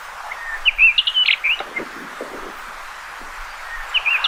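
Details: Common rock thrush singing one short warbled phrase of quick, mixed whistled notes that rise and fall, then near silence with faint low rustles and a brief soft note at the end.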